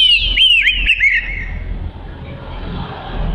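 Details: Oriental magpie-robin singing a brief burst of quick, bright whistled slurs and chirps for about a second, then falling silent, leaving a low rushing background noise.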